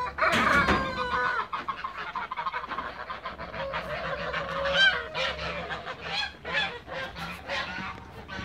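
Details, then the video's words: Toulouse geese in a backyard while flying and feeding, giving a loud harsh honk at the start followed by rapid, irregular overlapping honks and cackles from several birds over a faint low hum. "TOULOUSE GEESE FLY AND FEEDING IN THE BACKYARD"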